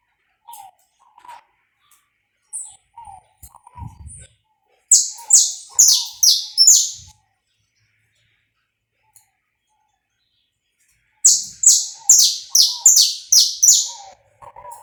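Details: Saffron finch singing live to warm up, pega pé style, two bursts of loud, high, sharply falling notes in quick succession, separated by a pause, with soft low cooing notes in between.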